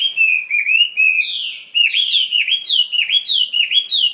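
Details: A caged Chinese hwamei sings slurred, warbling whistles that start low and steady, then speed into a lively series of swooping notes repeated about three times a second. The song is strong and clean.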